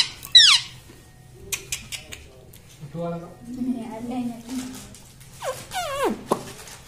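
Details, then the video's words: Pet talking parrot, described as saying "mummy": sharp squeaky sweeps open the recording, a stretch of quieter human voices follows, then a run of falling, harmonic squeals near the end. "talking parrot"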